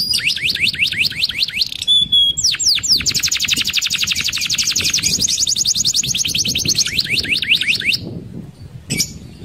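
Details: Rolling song of a canary, sung to draw other canaries into singing: rapid repeated high downslurred notes forming long even trills, one sustained fast roll lasting several seconds, ending in a brief pause and a single sharp note.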